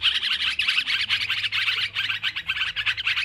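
Yellow-vented bulbul chatter, a dense, busy run of bright, bubbly notes pouring out without pause, as if several birds are calling together.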